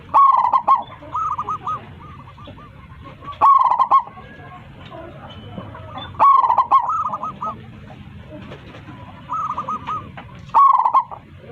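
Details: Four strong rippling coo phrases, about three seconds apart, from a local zebra dove singing to call its flock, with quieter trilled runs of hooked coos in between.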